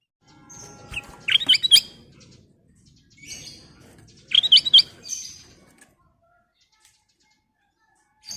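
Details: Sooty-headed bulbul (kutilang emas) full song used as a lure for other birds: two bursts of quick, sharp chirps and warbled notes about three seconds apart, over a low rumbling background.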